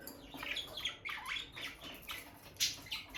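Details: A bonded pair of peach-faced lovebirds near their nest box, the female entering and leaving it; a rapid series of high, sharp chirps and short squawky notes runs throughout, with no voices or music.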